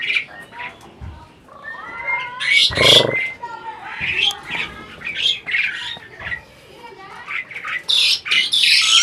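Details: Captive adult Asian pied starling imitating talk: scattered squawks and short falling whistles, a loud harsh burst near the third second, then chattering phrases that build again toward the end.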